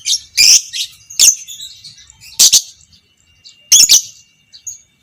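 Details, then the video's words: Lovebird of fighter type, violet parblue creamino, recorded as a training sound for other lovebirds: loud sharp chattering bursts about once a second, with softer buzzy chatter between them. "Masteran Burung Lovebird Fighter Ngekek panjang - Suara Burung lovebird biola pb creamino"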